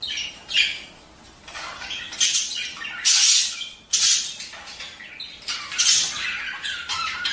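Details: Budgerigars in mating chatter, sounds meant to stimulate breeding pairs to lay eggs; dense scratchy warbles and harsh squawks come in bursts, with a quieter gap near the start and sharp loud notes around three and four seconds.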